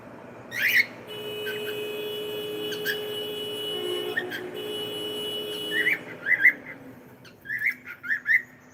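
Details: Pet cockatiel giving short rising chirps, one early and a cluster of quick repeated notes near the end, with a steady tonal hum and faint background sounds between.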